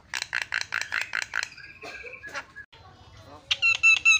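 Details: Javan myna singing a varied song used as a lure to provoke other mynas: a run of seven quick harsh buzzy notes, then scattered whistles and chatter, ending in bright repeated whistled notes.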